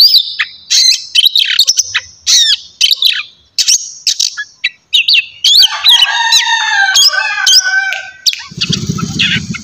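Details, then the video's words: White-rumped shama, locally kacer, singing in the morning to stimulate other birds; fast loud run of whistled sweeps and sharp chips giving way to a dense tumbling warble, ending with a brief low rough noise. "terapi pagi cocok buat mancing emosi dan birahi kacer supaya cepat gacor dan bukor"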